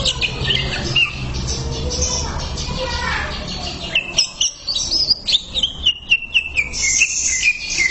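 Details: Greater green leafbird song meant for bird training and therapy: a noisy, muffled start with faint chirps, then clear high whistles and slurred downward notes repeated in quick bursts during the second half.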